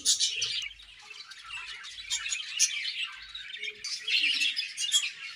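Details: Budgerigar colony feeding: steady overlapping high chirps and warbled twitters with no pauses, many birds calling at once.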